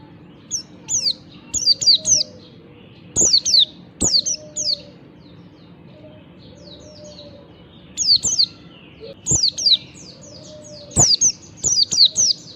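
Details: Oriental white-eye, kecial type, singing in the morning in ngalas style, used as a lure to get other white-eyes singing: bursts of high, sharp, downward-sweeping chirps in clusters every one to three seconds, with faint clicks and low hum behind.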